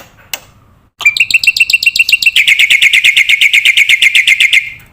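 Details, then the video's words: Black-winged myna, lively masteran training song for caged birds, used to lure young mynas; after a sharp click and a short pause, a fast rattling run of bright, even notes repeated about four times a second, steady and rolling. "masteran jalak putih gacor full isian pancingan jitu burung jalak muda"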